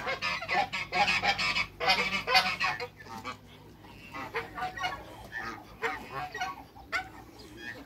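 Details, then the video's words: Domestic African geese, two males with one female in a backyard, honk loudly in the first few seconds, then calls fade to quieter scattered honks. "TWO MALE ONE FEMALE AFRICAN GEESE AFTER THE CREATE WATERBIRDS IN THE BACKYARD"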